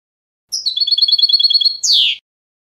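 A European goldfinch gives a quick, tinkling run of about a dozen high twittering notes, ending in a harsh, buzzy downslurred note; nothing else is heard.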